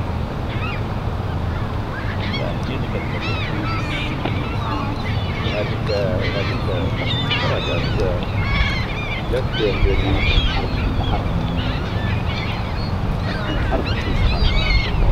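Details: Seagulls in Kingston Bay give a busy chorus of squealing, yelping cries and short nasal notes, many birds at once, with washing waves, wind and faint voices behind.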